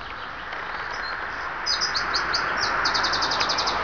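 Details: Bird singing in Monet's garden, Giverny, France: a few high, spaced chirps build into a rapid run of bright repeated notes near the end, set against continuous background hiss.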